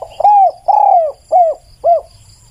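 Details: Spotted dove cooing loudly and clearly, four mellow notes in about two seconds, the first two long and gently falling, the last two shorter and arched, with a faint high insect hum.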